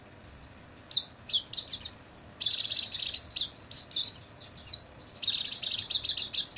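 Oriental white-eye song: a fast, high-pitched stream of thin twittering and chattering notes, rising into dense bursts of sustained high trills.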